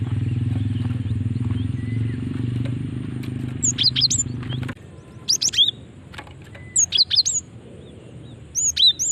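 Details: Female cinereous tit call used as a lure for other birds: short bursts of high, sharp chirps repeated roughly every two seconds, with a steady low engine-like rumble that stops midway.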